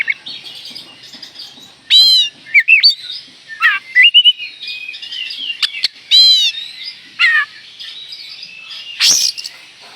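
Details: Oriental magpie-robin singing energetically, played as a lure to provoke another magpie-robin: a rich, varied run of rising and falling whistles, sharp chirps and rapid trilled notes in quick bursts, ending with a sweeping high note.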